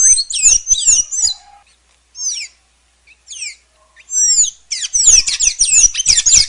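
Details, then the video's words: Sayaca tanager with a jumbled squeaky phrase, then scattered single high slurred notes separated by gaps, ending in a loud rapid burst of twittering squeaks; faint low thuds underneath. "Celestino Canto! Llamado! Sonido! Cantando! Llamando! - Sayaca Tanager Bird Song - Thraupis Sayaca"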